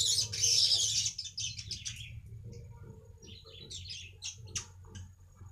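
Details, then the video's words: Weaver chatter used to attract wild weavers opens with a loud harsh sizzle, then breaks into scattered scratchy chips and short buzzy phrases that fade, over a low droning hum. "BURUNG MANYAR UNTUK PANCINGAN BURUNG MANYAR BAHAN"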